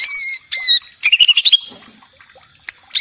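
Greater green leafbird: two loud, clear whistles, then a quick burst of about six chattering notes, trailing into softer scratchy sounds and a final sharp note.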